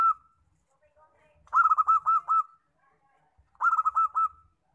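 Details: Two separate bursts of fast, clipped cooing notes from a local zebra dove, each about a second long, with faint low rumbles between them.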